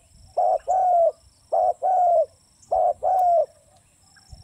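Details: Spotted dove calling steadily: three phrases about 1.2 seconds apart, each a short coo and then a longer, level, hollow coo. The notes are clear and close, with a faint low hum behind them.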